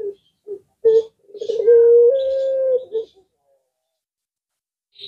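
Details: Puter pelung collared dove, a bird whose call other doves and birds answer, giving short low coos, then a rolling coo that swells into one long, steady, drawn-out hum lasting over a second, ending in a short coo.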